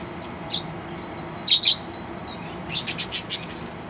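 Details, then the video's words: Budgerigars kept in a small balcony colony, heard in the morning: a double squeaky chirp, then a quick run of four bright high chirps, with faint hiss behind. "কলোনিতে পাখির ডাকাডাকি এবং চেচামেচির সুন্দর শব্দ"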